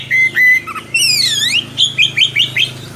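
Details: Oriental magpie-robin singing as a model for young birds: two level whistled notes, a broad swooping whistle, then a rhythmic series of short rising notes, over a steady low hum.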